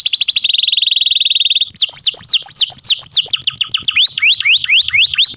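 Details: Kept canary delivers a rapid buzzy high trill, then a series of slow, loud, downward-swooping whistles and finally upward-curving slurred notes repeated about twice a second.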